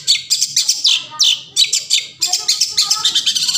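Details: Long-tailed shrike forest song used as a lure to get silent shrikes singing: rapid harsh chattering notes with buzzy high phrases, repeated bursts about every quarter second, a faint lower warble underneath.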